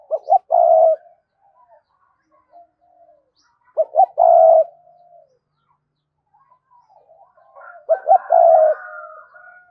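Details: Spotted dove in repeated 'hai hậu' cooing: three phrases of quick stuttered hoots ending in a longer coo, about four seconds apart, with faint coos between.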